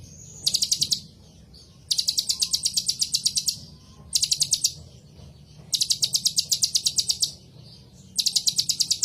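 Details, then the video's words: Copper-throated sunbird (kolibri ninja) singing in repeated bursts: rattling, very high ticking trills lasting about one to two seconds, five bouts separated by short silences, over a soft low hum. "suara Kolibri ninja terbaru ..!!! masalah gacor nilai sendiri"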